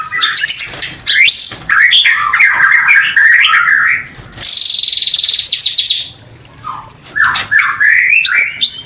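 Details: White-rumped shama mating song, meant to stir breeding desire in new pairs: loud, fast, varied phrases of whistles, sweeps and high buzzy trills, one long high rattling burst, a brief pause, then more tumbling whistled notes.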